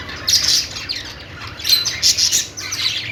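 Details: Budgerigars chirping happily: two loud flurries of raspy, buzzy chatter, separated by a brief quieter gap.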